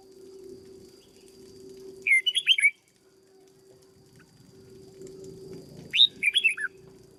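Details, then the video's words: Caged red-whiskered bulbul being conditioned as a decoy sings two short warbled phrases a few seconds apart, each a rapid string of slurred notes, against low background hum and rustling. "Cách chăm chào mào căng lửa nhanh hiệu quả nhất, cách dợt chào mào mồi"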